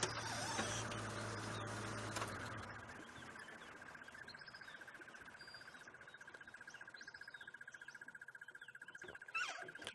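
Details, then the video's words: Crested barbet heard during a stop-and-listen on a sunrise safari drive in Sabi Sand, South Africa, 16 October 2016: a long, even, mid-pitched trill like an alarm clock, after an engine rumble and knock, with faint bird calls behind. "Hear a crested barbet somewhere."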